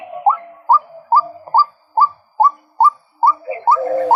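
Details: Short upward-sliding notes from a male white-breasted waterhen, repeated steadily about every half second, ten in a row, with a soft lower murmur growing beneath the last few.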